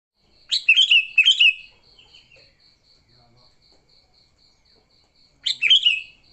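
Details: Sooty-headed bulbul giving lively fighting song used to lure other bulbuls: two quick bubbly, warbling phrases early, then a third after a pause, over a steady rapid ticking pulse in the background.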